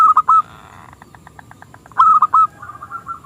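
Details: Local zebra dove with a small, crystal-clear voice, singing actively; its song is used to lure rival doves into singing. Short bursts of clipped, ringing coo notes at the start and near the end, separated by a quieter run of faint pulses.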